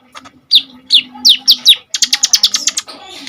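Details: ['Kolibri ninja sunbird in full song, played to train other birds: five sharp descending whistled notes followed by a fast, even run of high chips, with a low steady hum beneath.']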